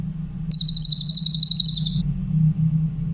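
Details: Training song of the grey-headed canary-flycatcher (cililin), clear voice: a shrill, rapid trill of high notes for about one and a half seconds, set against a noticeable low rumbling hum that continues after it ends.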